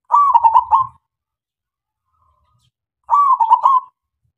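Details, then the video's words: Zebra dove, local type, sung as a lure to set other doves cooing. Two identical stuttering coo phrases, each under a second, come about three seconds apart. Each is a gentle held note dissolving into rapid beats, with faint low rumbles at the start. "SUARA PERKUTUT LOKAL SUPER GACOR MEMANCING SEMUA KUTUT DIAM JAMINAN NYAUT"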